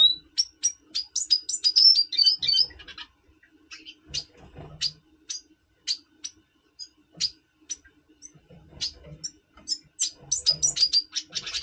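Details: Double pastel red siskin, captive, in breeding condition before breeding, November 2023: an opening burst of rapid high twittering, then scattered sharp chirps and short high notes, ending in a renewed quick twitter; soft low thumps between phrases.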